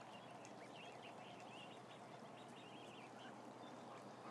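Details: About a thousand ducklings: a dense, continuous chorus of short, high, chirping peeps that overlap without pause, with many birds calling at once over a steady background hiss.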